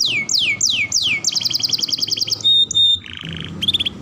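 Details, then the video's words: Training song of a canary, played to make young and adult birds sing: repeated downward-sweeping whistles, a rapid chattering trill, then a pure steady whistle and short clipped notes. "KENARI GACOR TEMBAKAN ISTIMEWA LANSUNG RESPON MASTERAN TERBAIK UNTUK KENARI PAUD| BAHAN|DEWASA"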